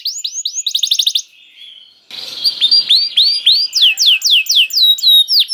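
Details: Canary song serving as bait to make other canaries sing: quick whistles and a rapid trill, a short quiet break, then a run of repeated downward-swept whistled notes.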